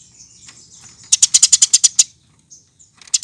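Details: Eurasian tree sparrow lure recording for training birds to sing: a quick run of about nine bright, high, even chirps lasting one second, then near silence and a few faint notes before another chirp begins.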